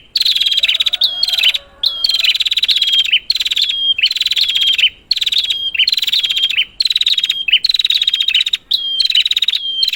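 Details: Lure recording of a prinia meant to set a quiet bird calling: a steady run of rapid, rattling tick series, each closing with a thin high whistle, recurring about once a second over a clean background.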